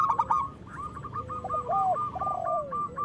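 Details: Local zebra dove song, loud and frequent, meant to rouse other doves into singing and breeding. A brief burst of coos, then a steady run of soft clipped notes over lower arched, gliding tones.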